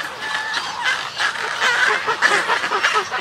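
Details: Snowy egret colony and greeting calls recorded close: rapid, harsh, nasal croaking notes tumbling together, a rough bubbling chatter from several birds.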